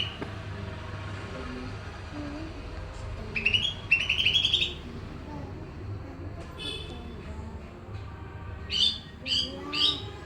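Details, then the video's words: Greater green leafbird, Pakpak type, singing in a noisy setting: a rapid chattering run of bright notes, a pause filled with low rumble, then three loud rising whistled notes. "Cucok Ijo Pakpak gacor ditengah kebisingan."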